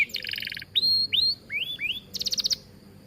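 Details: Canary singing in a full, lively gacor style in an aviary, suited for tutoring other birds: a fast buzzy trill, then clear rising whistled slurs and a closing run of rapid pulsed notes.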